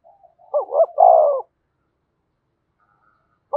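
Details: A decoy spotted dove gives one clear cooing phrase to rouse a caged male, two rising-falling notes then a drawn-out descending coo, followed by silence and a brief clipped note at the end.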